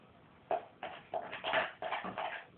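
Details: A pet parrot having a slight tantrum indoors, uttering several short harsh speech-like syllables in quick succession.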